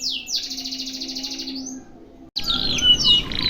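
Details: Singing canary in a long one-breath tutor song; a steady buzzy rolling trill held for over a second, a short break, then bright chirps and whistled notes.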